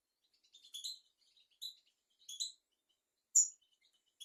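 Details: European goldfinch song used as a tutor recording for young goldfinches and canaries: short, spaced, high twittering notes and tinkling chirps in small clusters, with quiet gaps between them and no other sounds.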